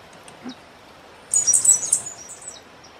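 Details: Sooty grassquit (cigarra-do-coqueiro) singing a lot: a brief, very high, thin and buzzy run of rapid chirps.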